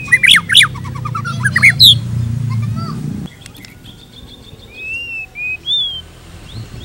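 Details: Pancingan lure song of a white-rumped shama meant for tutoring murai: loud rapid bursts of bright rising whistles, then a quieter stretch with scattered thin clear whistles and soft background hum.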